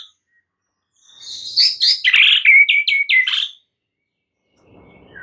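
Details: Shrill, fast series of white-rumped shama notes used as a lure to make stressed shamas sing hard; about two seconds of rapid high chips and whistles, then quiet.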